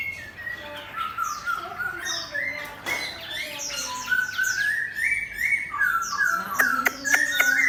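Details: Hwamei set next to a fighting bird, singing long, slowly modulated whistles with layered higher chirps, and sharp clicking taps near the end.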